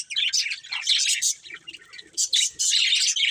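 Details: A breeding pair of budgerigars chattering in bright, high, twittering chirps that come in dense bursts, with a short quieter gap in the middle.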